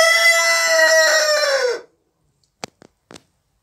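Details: A single loud crow from an Orpington rooster, strained and buzzy and held for almost two seconds before slurring downward. It ends abruptly, and a few short knocks follow in silence.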